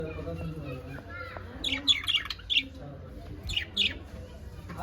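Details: Happy pet budgerigars giving a quick run of short, sharp chirps in the second half, clustered in twos and threes over a low indoor hum.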